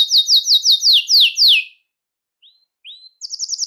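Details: Singing Belgian canary, song meant to attract and call canaries; a run of downward-sweeping notes slowing toward the end, a pause, two faint upslurs, then a quick high trill begins.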